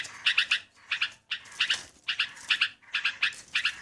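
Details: Yellow-vented bulbul lure recording: short bursts of two or three bright, liquid chirps, each burst repeated roughly every half second to second, with brief quiet gaps between.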